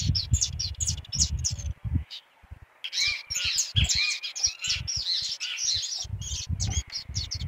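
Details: Canarinho pardo singing a lot: series of sharp, high, chirping notes, some slurred and rising, in quick bursts separated by short pauses, over rhythmic low thumping music.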